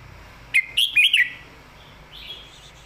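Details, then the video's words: Red-whiskered bulbul, a caged bird singing a southern-style master song used to train others: a clear burst of four quick, looping warbled notes, followed by a softer trailing whistle. "ครูเพลงแม่บท"ร้องชัด สำนวนใต้แม่บท นกเสียงทอง"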